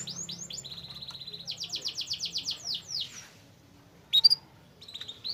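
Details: Canary song meant to coax a silent canary into singing eagerly again; spaced sweeping chirps lead into a steady rapid trill and a buzzy run, then a pause and one sharp, loud chirp.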